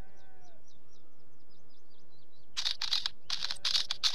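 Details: Wheatear singing: after a quiet start with faint, evenly repeated high chirps from another bird, a dense scratchy, crackling burst of harsh rattling notes fills the last second and a half.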